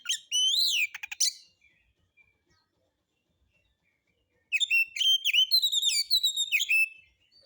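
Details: Magpie-robin singing solo in a relaxed, rough style meant to draw other birds into song: a loud whistled phrase ending in a rattle, a silent gap of three seconds, then a fast stream of chirpy whistled notes.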